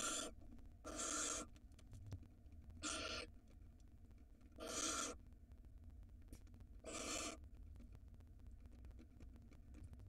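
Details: Barn owls in an Israeli nest box with five eggs laid February 2022, a huge rodent present; rasping hissed screeches repeated roughly every two seconds, five in all, over faint hum and clicks.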